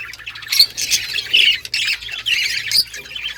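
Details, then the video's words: Budgerigars in a breeding colony in 2023 chirping: harsh squawky chatter and warbling in bursts from several birds, with a faint low hum underneath. "Budgies breeding progress and chirping sounds"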